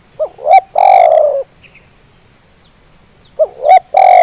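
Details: Zebra dove call used as a lure to make lazy birds call: a short rising note, a second note, then a long loud trilled coo, the phrase repeated after about three seconds of quiet; faint insect chirping behind.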